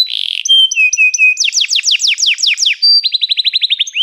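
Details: Canary singing: a buzzy opening note, a few short clear whistles, then a tour of fast downward-sweeping syllables, closing with a quick trill of repeated notes.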